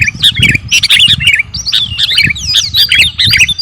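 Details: Sooty-headed bulbul of the kutilang garuda type, singing actively as a training song for captive birds: bubbly, squawky phrases of warbled notes with rising and falling slurred whistles, in bursts separated by short pauses, with a faint low rumble beneath.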